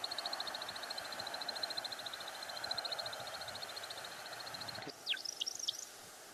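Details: An American Woodcock in the Ottawa area, Canada, makes the spring display-flight wing sound. A rapid, high twittering made by specially shaped primary feathers runs about five seconds, then a few sharp, dropping chirps, over a low hiss.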